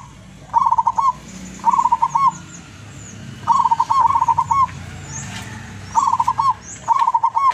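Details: Tuban, East Java: a wild local zebra dove used as a lure bird sings its long melodious coo. Five rippling phrases of fast trilled notes, each ending in a drawn-out note, come in spaced bursts.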